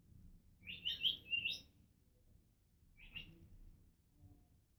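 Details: Female pet African grey parrot making noises: a burst of high, squeaky chirps running together for under a second, then one shorter chirp after a pause, over quiet background hum.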